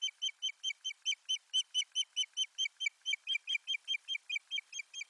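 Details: At an osprey nest in Finland on 1 May 2020, while soft nesting material is brought to the nest, an osprey gives a steady series of shrill, whistled chirps, about four or five per second, with no other sounds.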